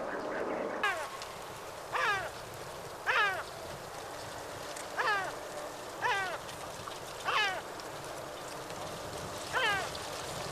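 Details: Two yellow-legged gulls fighting over a fish: a series of harsh, descending, stacked gull calls repeated every second or so, with a steady low hum underneath.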